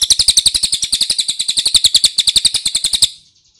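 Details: Ashy tailorbird lure recording meant to prompt other birds to answer: a fast, steady series of sharp, high chirps, about four per second, running for three seconds before stopping.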